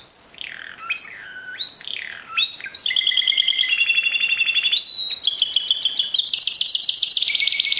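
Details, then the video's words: A Timbrado canary gives discontinuous-style song. Sweeping descending whistles open it, followed by dense, rapid, rattling trills and ringing metallic rolls that shift pitch several times without pause. "meilleur timbrado au monde"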